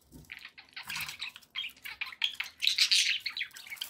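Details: Pet budgerigars chirping in rapid, scratchy bursts, busy warbling notes packed closely together and growing louder toward the end.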